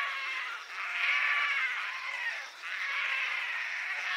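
Painted storks give a nasal, bleating moan in long overlapping swells that rise and fade roughly every two seconds, with no clear bill clattering.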